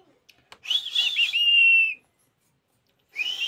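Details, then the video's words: Parrot, a household pet, giving a harsh, raspy screech that runs into a long, steady, high whistle lasting about half a second, then a pause and another rasping screech; quiet room, faint clicks before. "Parrot natural sound | parrot voice"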